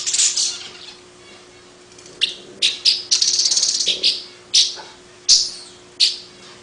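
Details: Long-tailed paradise whydah, a small long-tailed bird, giving its distinctive chattering song: harsh, high buzzy bursts repeated at uneven intervals, one longer rasping stretch near the middle, over a steady low hum.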